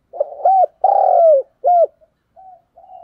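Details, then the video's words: Spotted dove decoy bird cooing, recorded in 2022: a loud, hoarse two-part coo with a long, drawn-out falling note, followed by softer, distant answering coos. "cu mồi gáy/ Tiếng Cu đất kêu"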